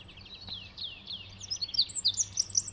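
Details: A Eurasian wren sings by a garden path: high, rapid falling notes build into a loud, fast trill that grows louder to the end, over a faint low hum.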